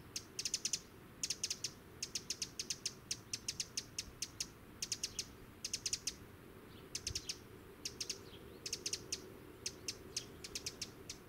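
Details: Bird song in countryside at La Croix Tasset, Côtes-d'Armor, Brittany, France, 21 August 2014: high, thin, rapid ticking notes in quick bursts of several, repeated through the clip, with a faint low background rumble.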